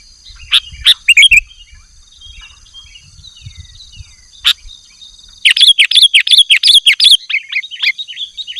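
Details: Sooty-headed bulbul singing actively, used as a lure and tutor recording for caged birds: scattered sharp chirps early, then a dense burst of bubbly, chattering notes, with a steady high electronic whine throughout.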